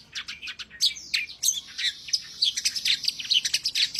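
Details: Singing long-tailed shrike (pented), presented as a lively songster by Indonesian bird hobbyists: a continuous, dense chattering warble of high, scratchy and whistled notes tumbling over one another without pause.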